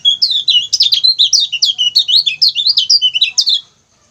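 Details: Lemon-bellied white-eye song used as a tutor recording for training other songbirds: a dense, continuous stream of quick, high, sharply rising and falling chirps and twitters, steady for over three seconds before stopping.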